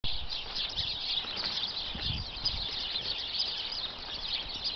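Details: About twenty sparrows hidden inside a bush, seemingly content in their home, keep up a dense, unbroken mass of high overlapping chirps, with low thumping noises rising briefly from the background.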